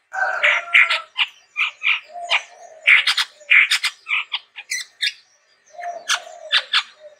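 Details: Chestnut-rumped babbler in lively, unusual song: clusters of harsh chattering notes mixed with lower drawn-out whistles, delivered in irregular bursts.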